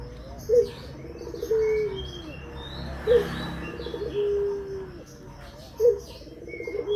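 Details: Barbary dove coos played as a lure to prompt other doves to call: a short accented note followed by a long, steady, slightly falling hum, repeated about every two and a half seconds, with faint chirps of other birds above.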